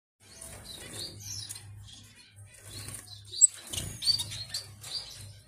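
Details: Young Gouldian finches kept at a farm, giving short high chirps in scattered bursts, some with quick rising or falling slurs, over a steady low hum and soft wing flutters.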